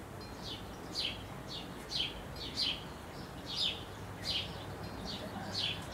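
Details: Eurasian wren chicks being fed shortly before fledging: rasping downward chirps, about one every second, each with a brief high squeak, over a steady low background hiss.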